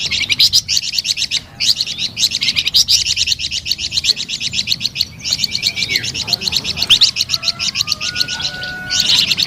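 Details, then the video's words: Flamboyan bird singing, described as melodious and lively: long runs of rapid, high, sharply repeated chattering notes broken by brief pauses, with a thin whistled tone near the end. "SUARA MERDU DAN GACOR BURUNG FLAMBOYAN"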